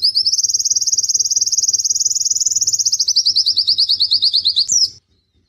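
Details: White-eye (pleci) in the prestigious G12/G16 contest class, kept as a tutor recording for its dominant, prominent song and long bursts: one long, very fast, high trill drifting slightly lower, ending in a brief upward flick, over a faint hum.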